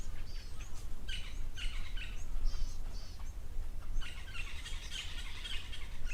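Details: Natal spurfowl making a racket at an African safari waterhole on 4 July 2024 give harsh, grating cackles in two noisy bursts, with a low rumble of background noise underneath.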